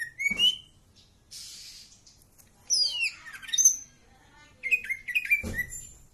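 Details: Varied song of a greater green leafbird: rising whistles, a hissing burst, twisting slurred phrases and a quick run of high, clipped notes, with soft low knocks in the background.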